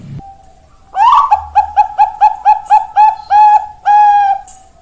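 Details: Zebra dove, Perkutut Bangkok, recorded 4 March 2023: after a faint opening note, a burst of rapid coos runs into evenly spaced mellow notes that grow longer, ending in two sustained coos, with light background hum.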